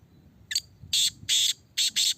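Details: Caged black francolin (Kala Teetar) being tested: a brief high note, then four loud, harsh, grating bursts in a quick rhythmic phrase, each rasping and broadband; only faint low background hum.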